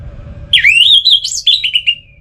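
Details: A brief, fluid song phrase from an orange-headed thrush: a swooping slurred whistle climbing and wavering, then three short descending notes, played calmly to rouse birds that stopped singing.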